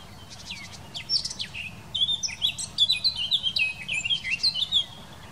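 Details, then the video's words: Eurasian blackcap in song, recorded in the Wittlich valley in 2018: soft scratchy twitters at first, then a bright cascade of clear, varied whistled notes for about three seconds before fading. "Mönchsgrasmücke singt"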